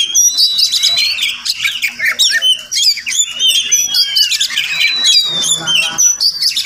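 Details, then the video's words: Wild Oriental magpie-robin singing in the morning near a house it visits daily: rapid, melodious mix of piercing whistles, rising and falling slurs and harsh chattering notes, continuous and loud. "Crazy Sounds of Village Magpie Birds"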